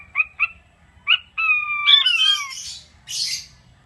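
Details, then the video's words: King quail in an aviary: three quick piping chirps, then a long, slightly falling whistle breaking into harsh, hissy squawks, over a faint low rumble. "Sound of king quail/puyuh batu"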